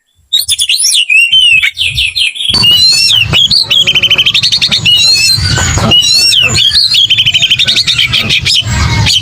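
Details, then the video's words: Aggressive fighting song of an Oriental magpie-robin (kacer): high whistled slurs and trills, joined after two seconds by a continuous low rumbling background under the rapid, varied phrases. "KICAU KACER TARUNG NGOTOR"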